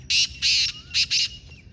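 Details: Black francolin in the wild calling with a captive bird, a close, loud grating phrase of four rough bursts, the second longest and the last two paired.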